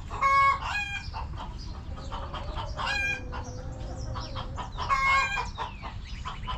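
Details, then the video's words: Backyard hens clucking in their coop: loud harmonic squawks recur about every two seconds over a steady low murmur of softer clucks. "Back Yard Chickens Continuous Footage! Rooster Crowing! Hens Clucking!"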